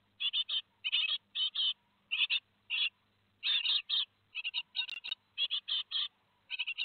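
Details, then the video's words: Great tit nestlings two days ahead of fledging at Théding, 15 July 2020, produce repeated short raspy buzzes in clusters of two to four, steady and insistent, with a faint click midway. "2 jours avant l'envol - 15/07/2020 - Les Mésanges Charbonnières de Théding"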